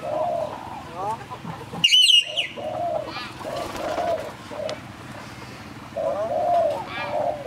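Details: A common hill myna at Phnom Tamao Zoo, Cambodia, mimics human speech in short, voice-like phrases, with a loud shrill whistle near the start; low cooing sounds and background chatter continue throughout.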